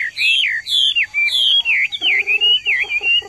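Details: A Chinese Hwamei kept in a courtyard, excited after hearing other birds, sings along with loud, clear, slurred whistles that rise and fall in quick varied phrases, with lower buzzy pulsed notes underneath in the second half.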